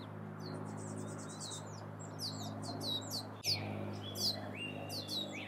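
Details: Wild turkey chicks in the Sierra foothills of California, USA: high, thin peeping notes, many sliding downward, given in irregular bursts with overlapping calls, over a steady low hum.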